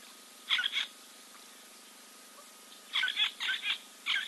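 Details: Giant kingfisher preening at Kings Camp waterhole, Timbavati Game Reserve, Kruger National Park, South Africa, on 4 February 2024. A short harsh rattling burst comes at the start, then a longer series of grating notes about three seconds later, over quiet background.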